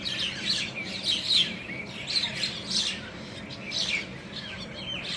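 Common mynas give a jumble of harsh, squeaky chirps and chattering notes in irregular bursts, with steady background noise underneath.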